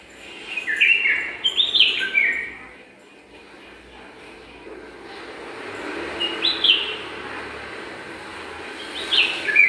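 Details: Bulbul, one of a pair building a nest in a garden, giving short bright whistled phrases that rise then fall, in bursts near the start, middle and end, with quiet background hiss between.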